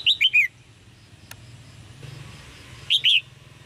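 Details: Chirping red-whiskered bulbul call to stimulate male singing: a fast three-note phrase of slurred whistles, a single click, then a two-note phrase about two and a half seconds later.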